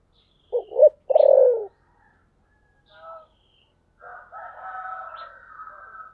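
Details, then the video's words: Spotted dove with the "thổ sấm" call style. One phrase has two quick coos and a long throaty rolling coo. Quieter scattered sounds follow, then a faint sustained higher tone near the end. "cu gáy giọng thổ sấm"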